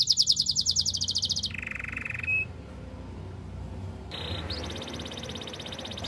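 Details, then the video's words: Canary singing for training other canaries: a loud fast pulsing trill, a lower buzzy tone ending in a sharp whistle, a quiet pause, then a softer high rolling trill. "The best melodies canary singing"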